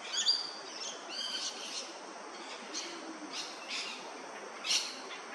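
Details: Male Australasian figbird preening in tropical sun on Yirrganydji Country, Far North Queensland; a run of short, harsh, high chirps and squeaky bursts comes irregularly over several seconds against a steady hiss of insects.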